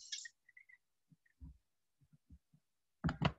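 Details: Soft indoor knocks and thumps with a few brief squeaks, ending in a short rustling burst; no animal voice is heard.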